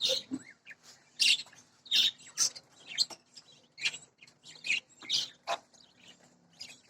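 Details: Budgerigar chicks, taken out of their nest pot while it is cleaned, give raspy, scratchy chirps in quick irregular bursts.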